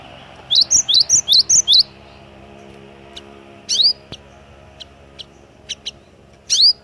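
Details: Great tit (glatik watu) singing: a quick run of five paired high whistled notes, each a high note followed by a lower upslurred one, then scattered single chirps over a low steady hum.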